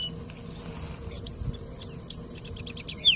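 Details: Song of a singing bush lark: a few spaced, very high chirps that speed up into a quick run of bright repeated notes, ending on a falling whistle; low steady background hum.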